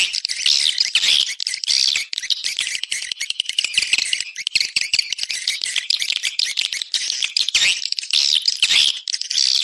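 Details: Swiftlets heard in an external sound set, a continuous rasping, crackling twitter of many birds with no pauses, shrill and busy throughout.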